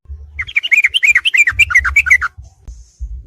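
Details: Yellow-vented bulbul (trucuk) song from a combined training recording for caged songbirds, played at night: fast, bubbly chattering phrases of warbled notes, running for about two seconds, then a pause, over a low steady hum.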